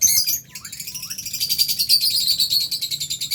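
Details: Albino and Fisher's lovebirds in an aviary, chattering in a dense, continuous, high-pitched stream of rapid buzzy chirps, with two brief lower rising whistles near the start.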